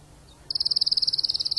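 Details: Spanish timbrado canary tutor male after the moult, beginning a sudden, clean, rapid metallic trill after half a second of quiet, its pulses evenly spaced and bright.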